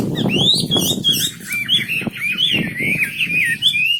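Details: Continuous high warbling song of a wambi bird, with looping whistled slurs and chattering notes, heard over steady low-pitched background rumble.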